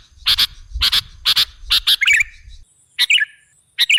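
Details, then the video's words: Sooty-headed bulbul sound played as a lure for other birds. Sharp doubled chirps come about twice per second, followed by short bubbly, wavering phrases after a brief gap. "Suara burung KUTILANG jebakan pemikat"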